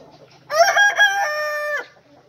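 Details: Rooster crow with a choppy, stuttering start, then a level drawn-out note of about a second that fades as it closes. Faint clucking sits in the background.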